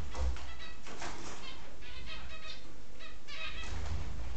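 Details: Pet budgerigars outside their cage chatter in quick, scratchy chirps and warbles over a steady low rumble.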